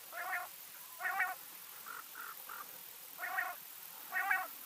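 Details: Quail heard calling at night indoors: short rasping notes with uneven gaps, softer fainter notes in between, and a hissy background.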